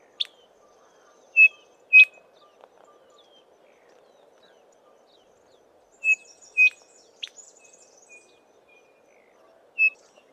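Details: Chinspot Batises in a small group foraging in tall Acacia trees; loud, pure whistled notes come in pairs about half a second apart, with fainter chips and a high jingling twitter between them.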